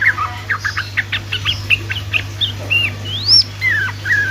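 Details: Sooty-headed bulbul singing in the fast 'ropelan' style used to coax silent bulbuls: a quick series of short chirps followed by several slurred whistles, some rising sharply and others falling, over a constant low hum.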